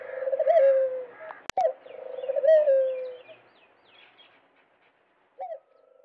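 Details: Dove cooing: soft, low, rolling coo phrases, two long phrases in the first three seconds with a brief higher note at the end of each. A sharp click is heard between them, faint chirps sit above, and a short coo follows near the end.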